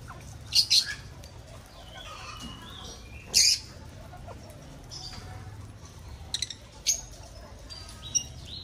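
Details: Aviary of breeding lovebirds: several loud, piercing, short shrieks spaced seconds apart, some doubled, over soft background twittering and a low constant hum.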